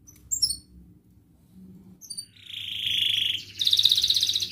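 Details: Canary singing in gacor ngerek, mbarong, cuit-cuit and ngerol style, meant to prompt idle canaries to sing; scattered thin high chirps, then a steady buzzy trill and a brighter fast rattle near the end.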